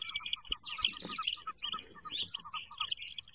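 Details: Inside a wood duck nest box in 2023, ducklings about to jump keep up a busy chorus of thin, high peeps, rapid and overlapping, with faint low thumps of movement.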